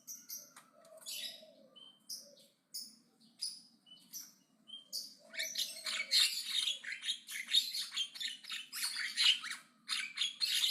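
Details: Javan myna in loud, aggressive chattering song: scattered clicks and short whistles build into a long continuous stream of harsh, raspy notes.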